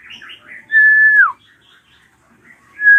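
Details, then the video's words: Ashy drongo (srigunting krantil) screaming, used as a lure to get young birds singing: soft chattering notes, then a long loud level whistle ending in a downward slur, quiet twitters, and another loud whistle beginning at the end. "JERITAN SRIGUNTING KRANTIL RAJA"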